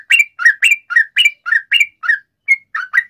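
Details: Sooty-headed bulbul in energetic 'ropel panjang' long rapid song, used as a lure to prompt other bulbuls to answer: bubbly, warbled two-part notes repeated about twice a second with a short pause near the end.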